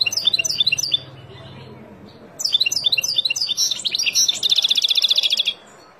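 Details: European goldfinch, a wild bird, singing to teach young birds: quick high twittering phrases, a brief pause, then a longer run of chirps ending in a fast buzzy trill before falling quiet.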